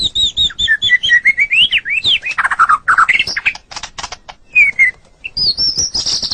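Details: Singing white-rumped shama on a training recording for pet songbirds; a varied, rich stream of whistled notes, rising and falling slurs, some harsher squawky phrases, and bright high whistles toward the end.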